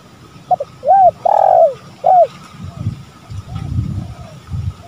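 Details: Male and female spotted doves on a lure recording: a clear coo phrase of two short notes, a long swelling coo and a short end note, followed by fainter distant coos and low murmuring sounds.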